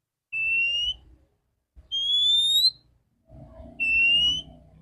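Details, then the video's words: Morning lure of a clear-voiced female Oriental magpie-robin meant to stimulate males: three long pure whistles, low, then higher and rising, then low again, with soft low-pitched background noise. "Terapi burung kacer betina suara bening pancingan pagi hari segarkan kacer jantan"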